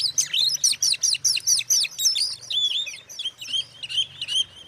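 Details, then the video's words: Magpie-robin singing to provoke other magpie-robins into a fit of emotion, with quick repeated slurred notes at the start, then a run of short whistles and buzzy trills in a loose, fast rhythm; faint low hum underneath. "suara kacer buat pancingan kacer lain emosi"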